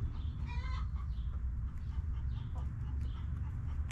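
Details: Backyard hens clucking and relaxing in their coop: one harmonic squawk near the start followed by faint scattered chirps and clicks, all over a constant low hum.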